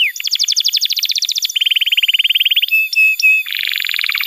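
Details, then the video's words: Canary song used as a master recording for training young canaries and as therapy for birds that stopped singing: rapid trilled phrases changing every second or two, buzzy rattles and short whistled notes, all high-pitched, no other sounds. "Pancingan Suara Kenari Gacor‼️ Ampuh untuk Masteran Kenari Muda dan Terapi Kenari Macet Bunyi"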